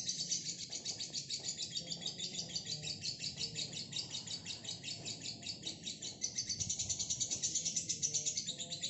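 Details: Female fighter lovebird giving a long ngekek: a continuous, very rapid high chattering trill, dense and unbroken for the full nine seconds, with faint low background hum.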